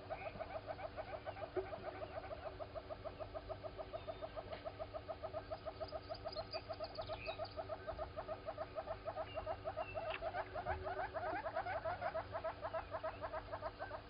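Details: Southern red-billed hornbill walking around at Gowrie dam waterhole, Djuma Game Reserve, Sabi Sand, South Africa, 07:53 on 16 September 2020, live camera; long fast run of clucking tok notes, about three per second, steady for fourteen seconds, faint chirps of other birds.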